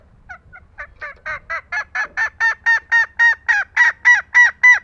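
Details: Green junglefowl hen calling to coax lazy males: a long accelerating series of nasal, honking notes that starts soft and sparse, then grows louder and steadier at about three to four per second, with faint low thumping beneath.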